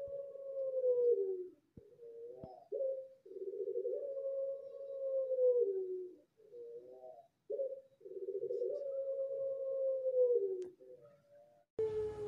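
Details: Competition-line Pelung turtle dove from Central Java breeders sings an example contest rhythm. It gives repeated long, smooth, low coos that sag in pitch toward the end, each opened by a brief quavering note, with a noisy burst at the close.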